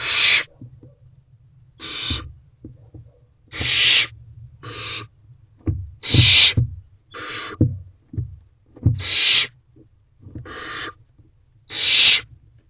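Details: A hungry young barn owl in a nest box, 8:26 pm on 4 May 2023, waiting for food from its parents. Nine short, noisy hisses come at irregular gaps of about one to two seconds, with soft thumps and a low background hum.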